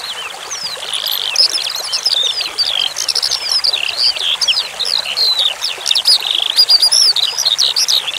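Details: Eurasian skylark (branjangan) song for bird training, over a steady wash of flowing water: rapid, continuous high twittering with varied short whistles and trills packed together, growing denser in the second half.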